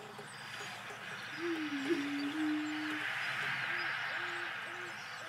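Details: Courtship booming of a male Greater Prairie Chicken, subspecies pinnatus, on a central Wisconsin booming field: a long low hollow moan, then three shorter soft hoots from more distant males, over a broad windy hiss.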